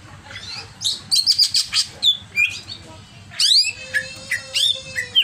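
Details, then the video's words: Greater green leafbird in an agitated state, singing loud bursts of sharp chirps and whistles, then a steep rising sweep and a sustained thin tone under scattered clicks. "CIRI CUCAK IJO OVER EMOSI"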